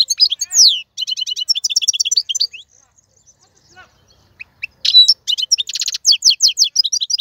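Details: Male European goldfinch song for training young birds: quick liquid twittering and a falling whistle, a pause with a few soft notes, then a renewed rush of chirps with a short buzzy trill.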